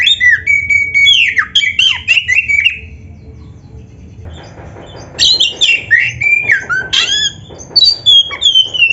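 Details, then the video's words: Oriental magpie-robin pouring out dense song, fast whistles, chips and slurred notes in two long bursts split by a quiet pause, giving a rich, busy medley. "SUARA MASTERAN BURUNG KACER GACOR ‼️ DENGAN FULL ISIAN MEWAH"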